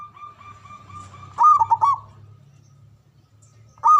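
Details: Local zebra dove from Java, loud and long-breathed, opens with soft repeated coos over a low hum, then a strong burst of quick stuttering coos, with the next phrase starting at the end.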